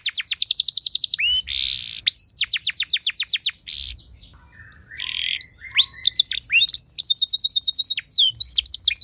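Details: Canary song used to provoke other canaries into singing: a fast string of falling whistles, a buzzy note, another whistle run, a brief lull, a low buzzy rattle, then varied quick slurs and trills.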